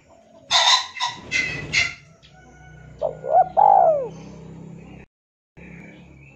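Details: Several loud broadband knocks or thuds open the recording, then a male spotted dove calls a rival, as used for luring, with one phrase of short coo, rising catch note and long falling coo, over steady low hum.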